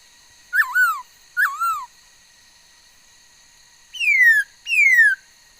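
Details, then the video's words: Female laughingthrush singing on 13 August 2021, a bird said to have many different sounds: two rising-then-falling whistled notes, a pause, then two long, bright whistles sliding steadily downward, with a faint continuous electronic hum behind. "noog sab hwj txawj quaj tau ntau yam suab khúớ mầi hót"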